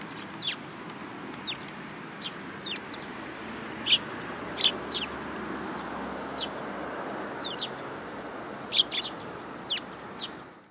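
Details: Sparrow hurt on the top of its beak, recorded at a Tenmangu shrine on 20 August 2022, giving scattered short high chirps at irregular intervals, a few louder and sharper, against a constant background hiss.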